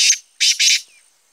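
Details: Black francolin call fragment from 25 July 2020, with three loud, hoarse, buzzy notes in quick succession, the last two nearly joined, in quiet surroundings.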